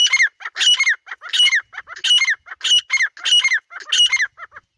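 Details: Grey francolin (dhakni teetar) calling in the jungle: loud, harsh, ringing notes in rhythmic bursts, each burst stacked and slightly falling, repeated about one and a half times per second without pause.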